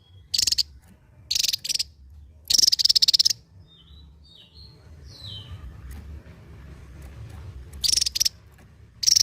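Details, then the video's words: Javan white-eye endemic to Java in 'ngebren' song: three high buzzy rattles, a longer drilling burst, soft faint twittering notes in a quieter middle stretch, then two more rattles. "SI MUNGIL BERSUARA T4JAM..SANG BURUNG ENDEMIK JAWA YANG MEMUKAU,GACOR NGEBREN BAK BURUNG BESAR"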